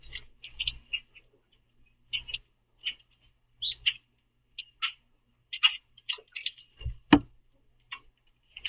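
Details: In a backyard, common grackles chase each other while grabbing the remaining sunflower seeds from a feeder; short high chirps spaced about a second apart, one louder thump near the end.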